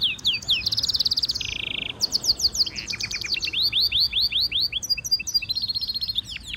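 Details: Training stimulation song from a European goldfinch mule hybrid. A bright buzzy trill gives way to a run of fast down-slurred whistled notes, then mixed chattering phrases, all high-pitched and continuous.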